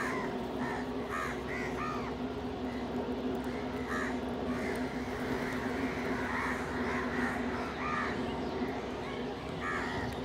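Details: Several crows feeding together with a pigeon nearby, squabbling over food, give frequent harsh arched caws in quick overlapping bursts over a constant low background drone.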